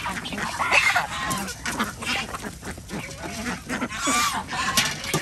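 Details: Village farm ducks in Andhra Pradesh, India, being fed with chickens and geese; busy, harsh overlapping quacks and honks fill the clip, with a brighter nasal burst early on.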